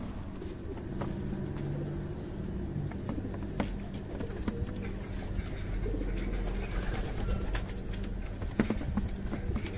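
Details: Fancy pigeons kept at a breeding farm give soft, low, throaty coos, some drawn out, over a steady hum, with sharp clicks and shuffling from the birds moving about.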